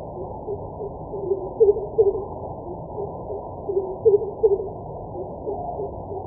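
Greater coucal giving deep, hollow hooting notes in two short bursts of two or three, about two seconds apart, over a low steady hum.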